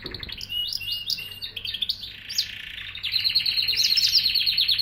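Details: Canary singing a jumble of high chirps and a soft buzzy stretch, then launching into a loud, rapid, pulsing trill that carries to the end.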